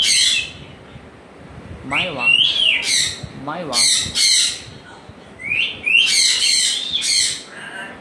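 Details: Repeated loud, raspy squawks from a pet African grey parrot, arriving in bursts several times per second, some with a buzzy lower edge, across about eight seconds.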